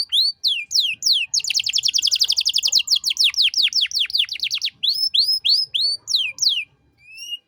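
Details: Canary in full, lively song in the ornate 'cengkok mewah' style, used as a master recording to tutor untrained songbirds: high descending whistled sweeps, then a long rapid buzzy trill, then more swooping whistled notes repeated about three per second.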